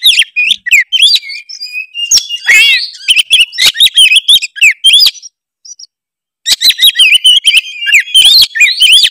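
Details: Tretes oriental magpie-robin singing a varied lure song full of mimicry to stir rival birds; rapid chirps and swooping whistles, a harsh buzzy phrase, a one-second silence, then dense chattering again.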